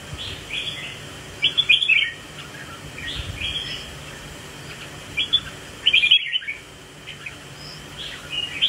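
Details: Red-whiskered bulbul in a swaying display. Warbled phrases of several quick notes alternate with pauses of one to three seconds, over a steady low background noise.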